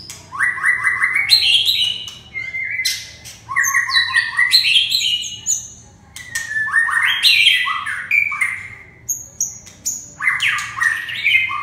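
A red-whiskered bulbul sings bright, chirpy, liquid phrases in bursts every few seconds, with a faint low hum in the background.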